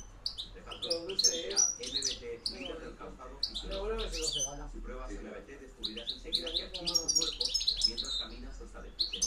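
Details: European goldfinch singing in the field-style 'reclamo campero' manner, 2013–2014: rapid liquid twittering and tinkling high notes in quick bursts, over steady low music and faint voices.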